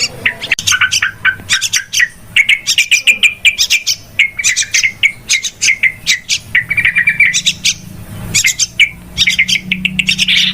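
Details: Noisy yellow-vented bulbul lure calls for trapping: a continuous jumble of short, bright chirps and rattling phrases from several birds, barely pausing, with a low background drone.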